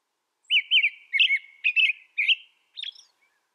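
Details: Caroling American robin: a series of short, bouncy whistled phrases, some doubled, delivered at a steady pace of roughly two per second, ending with a thinner, higher note.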